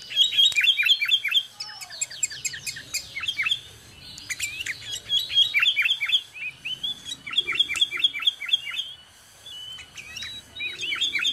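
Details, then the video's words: Sooty-headed bulbul, locally called kutilang or cangkurileung, recorded around a home in Indonesia: bright whistled notes in quick repeated phrases of short rising-falling syllables, with pauses between bursts and faint background rustle. "MASTERAN SUARA BURUNG KUTILANG, CANGKURILEUNG | SOOTY HEADED BULBUL SOUNDS"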